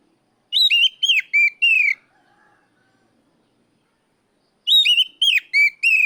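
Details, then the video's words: Oriental magpie-robin challenging a rival with loud calls. Two bursts of four or five clear, falling whistled notes are heard, each under two seconds long, separated by roughly three seconds of silence. "NGEPLONG TERIYAKAN KACER MEMANGGIL LAWAN"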